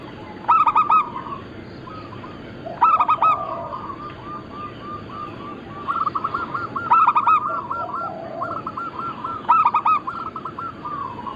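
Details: Singing local zebra dove repeats its phrase four times: each opens with a loud clipped coo cluster and trails into quick rolling, trilled coo notes, with a faint second cooing voice and a constant low hum behind.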